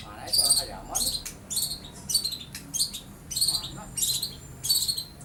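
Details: Young long-tailed shrike, beak not yet fully black, plumage just changing from spotted, mimicking lovebird and house sparrow: harsh, scratchy high chattering bursts repeated roughly every half second to second, with a soft low background hum.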